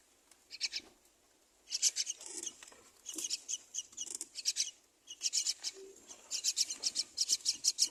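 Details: Two baby mynas on the nest as the mother feeds them: loud, rapid, harsh high-pitched chattering in repeated bursts of several notes, growing more insistent toward the end.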